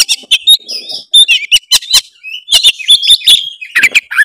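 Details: Oriental magpie-robin singing continuously to stir a lazy bird to sing, a dense run of bright whistles, twittering trills and abrupt scratchy clicks.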